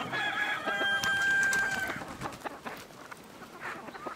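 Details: Village chicken sound: a steady, sustained crow held level for about two seconds, then trailing off into scattered clucks and light background noise.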